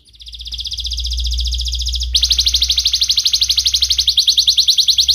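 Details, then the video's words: Young canary song used as a lure to train other canaries; a long, sharp, high trill of rapid repeated notes, shifting after two seconds to a louder, faster-pulsed trill, with a low steady hum beneath. "Masteran Kenari Gacor MUDA Suara TAJAM, Pancingan kenari PAUD belajar Bunyi & pancingan kenari MALAS"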